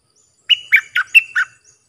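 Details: Bulbul song meant for teaching hand-fed young and fledglings. A clean phrase of five loud, whistled, slurred notes evenly spaced over one second, each dipping in pitch. No other sounds.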